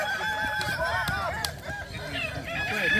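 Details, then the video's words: Kukuak Balenggek cockerels compete in a boko-class crowing final at a dairy farm in Solok; a dense chorus of looping, undulating crows runs through the whole stretch, with scattered clicks and faint talk. "Final lomba ayam kukuak balenggek kls boko"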